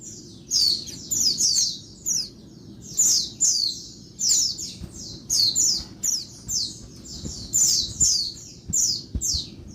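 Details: Female Oriental white-eye calling restlessly by day to stimulate males: a steady stream of high, thin, downslurred chirps in short groups about every second, light low background noise.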